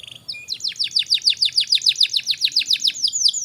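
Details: Energetic canary song for tutoring young birds: after a short whistled lead-in, a steady series of rising-falling chirped notes about three per second.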